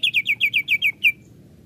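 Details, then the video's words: Greater green leafbird singing to stir other leafbirds into excitement: a quick run of eight sharp, downslurred chirps, about six a second, ending abruptly. "CUCAK IJO lain cepat sekali emosi pancing c ijo ini"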